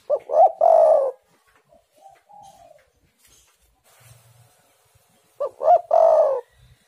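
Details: Spotted dove used as a lure to make other doves sing. Two phrases of paired short hoots and a long descending coo, about five seconds apart, with soft gentle notes between them.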